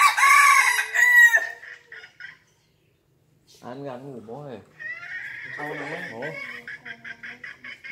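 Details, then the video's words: Fierce crowing of a five-month-old red junglefowl: an opening loud, harsh crow of about a second, then silence, some lower wavering sounds, and a steady series of short repeated pulses to the end. "Gà rừng năm tháng tuổi gáy cực gắt"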